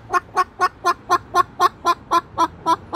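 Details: Pet Moluccan cockatoo, agitated by a magpie on the roof, gives an even run of short, hollow "bok" clucks at about four per second.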